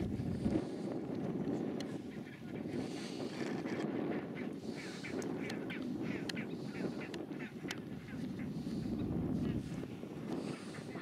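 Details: Chinstrap penguin colony at a landing site on Halfmoon Island, Antarctica, 9 December 2016: dense, harsh, overlapping calls in rough bursts over a constant low roar of wind or surf, with scattered sharp clicks throughout.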